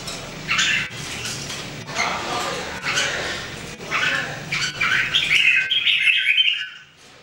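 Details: Red-whiskered bulbul (jambul), one of three birds in everyday singing practice in 2018, gives chattering notes and then a longer bright warbled phrase that ends abruptly, with rustling in the background.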